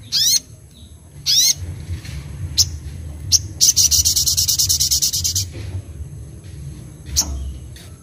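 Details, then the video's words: Singing Van Hasselt's sunbird (sogok ontong), a kept bird in gacor form with isian notes and ngleper display: sharp high chips and sweeping squeaks, then a rapid pulsed trill of about two seconds, then more scattered chips. "sogok ontong (sogon) gacor nembak isian ngleper"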